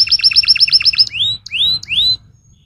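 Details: Canary delivering a stimulating song: a fast tour of about eight identical chirps, then three clear rising whistles with short pauses between them, against a quiet background.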